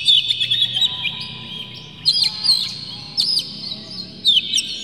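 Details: Oriental magpie-robin lure song, harsh and clear, meant to agitate listening birds. Warbled whistles open the passage, followed by separated bursts of sharp upslurred chirps, with a faint low hum.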